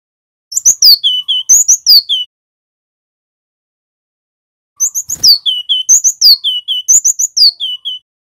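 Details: Loud, clear song of a male cinereous tit from Java, played to lure and train wild-caught birds: two bursts of quick descending whistled notes separated by a long pause of about two and a half seconds.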